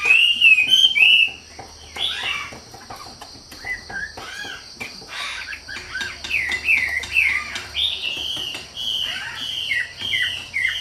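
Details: Lively, energetic wambi song: a bright rolling whistle opens, then a long stream of varied chirps, slurred whistles and rapid twittering notes. Phrases shift constantly, with a continuous high buzzing tone and low background rumble beneath.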